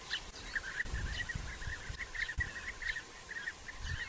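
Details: European bee-eaters in early June 2021 at nest burrows still being excavated, during the season of courtship feeding and copulation. Soft, rolling, purring calls repeat almost continuously over a low background hum.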